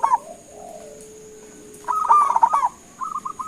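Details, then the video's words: Lively local zebra dove calling so other birds reply: a short coo burst opens, then a longer run of quick bubbling notes and a few softer trailing coos, over a constant thin high-pitched hum. "Suara Panggilan Perkutut LOKAL Gacor sekali dengar langsung NYAUTIN"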